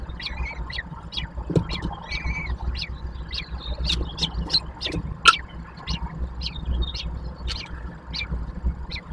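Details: Three common kestrel chicks being fed at the nest in Łódź, Poland, 19 May 2024, give sharp, squeaky begging calls, roughly two a second, over a steady low rumble of traffic.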